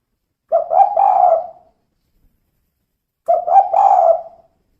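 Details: Two cooing phrases from a female spotted dove, kuk 2 style: a couple of quick clipped coos leading into a longer soft burry coo, about two and a half seconds apart, recorded in quiet surroundings.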